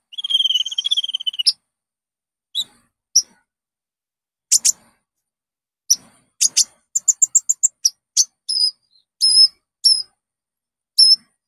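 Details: Olive-backed sunbird, locally konin, lure song to set caged birds singing: opens with a buzzy trill, then spaced sharp high chips, a quick run of ticks and thin whistled notes.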